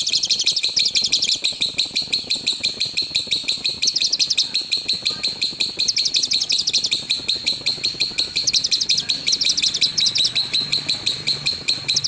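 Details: Lovebird in the loud 'tembakan' (rapid-fire) rumbling song style, recorded as a master track for training other birds: shrill, high chattering notes in dense repeated bursts, with continuous rapid ticking throughout.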